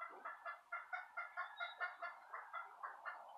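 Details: Southern Rambler and Golden Comet chicks keep up a continuous, evenly paced peeping, roughly two chirps a second, each short and bright, over a light background hiss.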